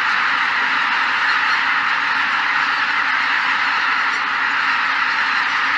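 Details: A vast flock of greater white-fronted geese lifting off together at Shishibana, Izunuma, Japan, on 3 November 2023, their high, yelping honks merging into one unbroken roar with no pauses.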